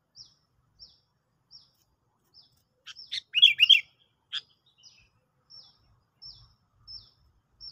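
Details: Sooty-headed bulbul heard during a bird-trapping lure trial: thin high chirps repeat about every half second, broken midway by a loud bubbly, warbling burst of notes, then the sparse chirps resume in a quiet background.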